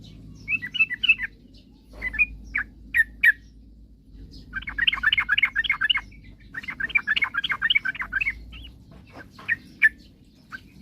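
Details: Sooty-headed bulbul in lively song, meant to provoke rivals into singing: a few scattered chirps, then two extended bursts of rapid, rattling notes, with sparse chirps after and a low hum throughout.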